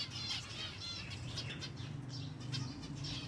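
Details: Silver Java sparrows at feeding time give short, high chirps in quick bursts, some with stacked ringing tones, over a steady low rumble, with wing flutters among the birds.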